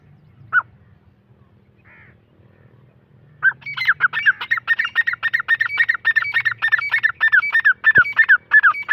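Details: Black francolin (Irani teetar) voice: one isolated harsh note, then after a pause a fast, steady run of rasping, clipped notes, roughly three per second, over a low background hum.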